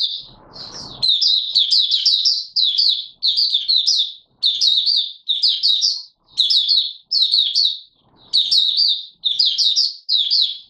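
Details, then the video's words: Oriental white-eye recorded 24 March 2022, singing a long series of high, rapid twittering phrases, each about half a second to a second long, repeated steadily with short pauses and little background noise. "Mata Puteh Raja Video 1 buka sing"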